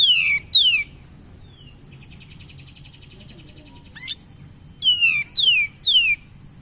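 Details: Cream-vented bulbul song played as a lure to spur other birds: steep descending whistled slurs in pairs and triplets, separated by a quieter stretch with a faint rapid trill.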